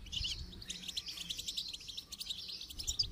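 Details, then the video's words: Goldfinch song during song training: a rapid flow of high, bright twittering and chip notes, softly accented, over a low hum and light background hiss. "Motivational rewards for training goldfinch to song"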